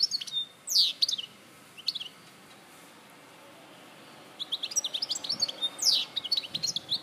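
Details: Goldfinch in Larache, 2014, producing loud descending buzzy slurs and chirps, a long silent gap, then a renewed fast twittering sequence of high notes.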